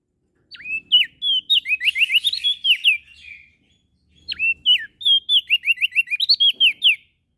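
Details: Singing prenjak daun (prinia) of NTB, Lombok: two long phrases, each beginning with a sharp slurred whistle followed by a lively chain of high chirps that rise and fall, with a brief pause between them.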